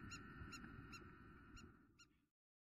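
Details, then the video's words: Spur-winged lapwing calling intensely, Greece, April 2023. Five clipped, ringing notes come about half a second apart over a steady hum and low noise, then the sound cuts to silence. "Αγκαθοκαλημάνα - Spur winged Lapwing intense call !"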